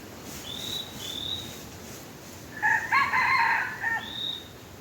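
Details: A crow during red junglefowl luring with a tame chicken, coming after thin, high whistled notes from another bird and rising into a rough, banded, multi-syllable call that holds for over a second before fading.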